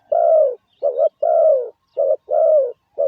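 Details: Loud, close spotted dove lure call for training decoys: long falling coos alternating with short doubled coos, roughly one note per second, over clean silence.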